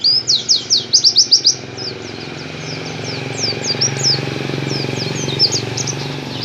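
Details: Oriental white-eye of the dakun type, singing in the canary-like 'tembakan kenari' style: a fast burst of about eight high, sharply downslurred notes, then scattered thin, high chirps and twitters, over a steady low engine hum.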